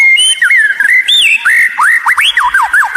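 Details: White-rumped shama song used as a lure to prompt other shamas to sing: loud, clear whistled phrases, sliding and looping notes then a quick run of falling whistles.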